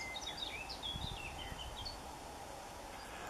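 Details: Long-tailed tit in Bavaria, Germany, in March–April 2014 while foraging and building its nest, calls in a quick scatter of thin, high, slurred notes over about two seconds, then falls quiet over a steady low hum.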